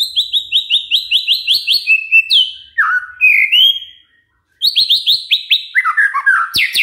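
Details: White-rumped shama song played to get other birds singing: a high, fast, chattering trill, sweeping slurred whistles, a short gap, then another rapid trill running into tumbling whistles.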